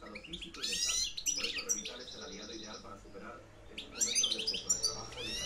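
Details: A 2013-2014 campero reclamo by a European goldfinch: rising and falling liquid twitters, a brief buzzy stretched note, a pause, then another bright cascade of tinkling chirps, low hum underneath.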